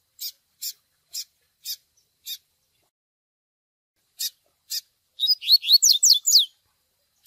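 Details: Double-collared seedeater, recorded for song training in the TUI TUI song style, mixed with chick begging calls. Five short, harsh, evenly spaced peeps come first. After a pause, two more peeps lead into a fast run of bright whistled notes sweeping downward.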